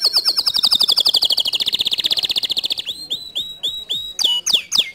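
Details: A canary's song played to goad a lazy canary into singing. A long, rapid, rolling trill slowly descends in pitch. It is followed by clipped rising chirps and several sharp, downward-swooping whistles.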